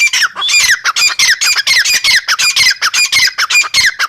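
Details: Female teetar, the grey francolin, delivering a continuous series of loud, harsh, scratchy squawks, evenly spaced at roughly four per second with slightly descending strokes in each note.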